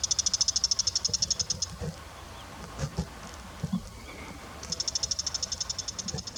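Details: A fast run of high, clicking chatter from a bull-headed shrike opens the recording. A pause follows with scattered knocks and faint sounds, then a second rapid high series.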